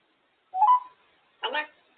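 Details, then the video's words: Female African grey parrot on top of her cage, making her noises and talking: a short warbled note, then a brief harsh broadband squawk, in quiet indoors. "African grey parrot making her noises and talking on top of her cage"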